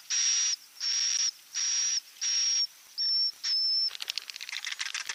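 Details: Swiftlet giving the walet inap roosting sound: six buzzy, whistle-tinged bursts in a regular series, then rapid dry clicking and chatter for the last second.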